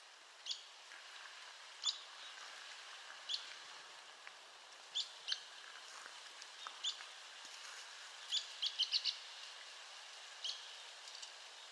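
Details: Arizona woodpecker calling repeatedly: short, sharp high notes roughly every second or two, with a brief quick run of notes late on, amid faint background noise and distant chatter of other small sounds.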